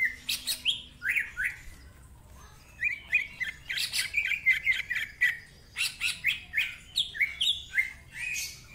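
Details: Greater green leafbird, a vocal cucak ijo kept as a master bird for training, singing a varied, rich song: rapid whistled slurs and rising notes near 2–4k interleaved with harsh buzzy bursts, brief pause mid-phrase.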